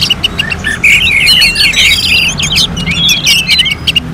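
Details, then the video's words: Orange-headed thrush, contest-simulation song: continuous lively warble of slurred whistles and twittering phrases, steady in loudness, with a soft background drone. "KICAUAN ANIS MERAH SEPERTI SIMULASI LOMBA"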